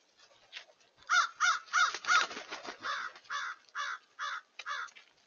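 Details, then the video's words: A crowd of crows recorded 31 January 2023: a rapid series of loud harsh caws, about three per second at first, then slightly softer, spaced caws from several birds. "crows 01-31-23"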